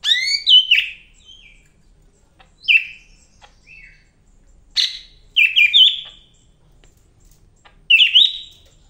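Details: Greater green leafbird (Chloropsis sonnerati), a Medan bird, sings in bright, varied bursts of slurred whistles and chattering notes, high-pitched, every second or two with short pauses.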